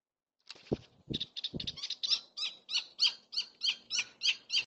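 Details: Gila woodpecker at a feeder: a quick series of sharp, harsh yipping notes repeated about three times a second, steady and evenly spaced, preceded by a few low knocks.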